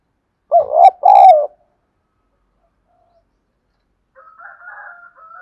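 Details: Spotted dove luring other doves: one loud two-part hoarse coo early on, then silence, followed by fainter, higher distant cooing toward the end.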